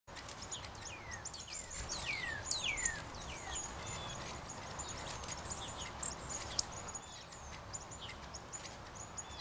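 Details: Three Northern Cardinals chattering while chasing each other in play give quick, steeply down-slurred whistles and sharp high chips, overlapping in fast bursts over a steady hiss of background noise.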